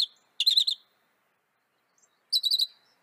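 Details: Northern mockingbird of North America giving short bursts of fast warbled chirps, separated by a long silent gap.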